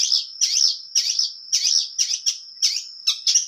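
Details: Long-tailed shrike, Indonesia, in vigorous full-material song with a clear voice: bursts of harsh, high, twittering notes separated by short gaps, a thin sustained whistle linking them, and clean surroundings.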